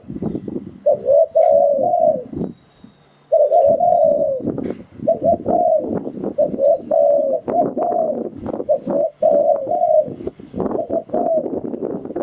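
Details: Spotted dove coos used to decoy wild doves for trapping: repeated low hooted phrases of several notes over steady clattering, rustling background noise, with one short pause near the start.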